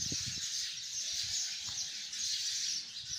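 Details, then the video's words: Hundreds of sparrows chirping together in a tree: a dense, continuous wash of high, overlapping chirps with no single bird standing out, steady throughout, faint low rumbles beneath. "chirping of hundreds of sparrows in the tree"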